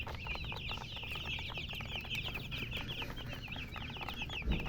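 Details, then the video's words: A group of chicken chicks chirping, bright, quick, high peeps packed closely together in a constant stream, with faint low background hum. "MURGI Baby "Chicks Chirping" Sound"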